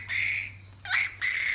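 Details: Pet musk lorikeet producing three loud, buzzy screeches in quick succession, the middle one dipping before rising, against a low indoor hum.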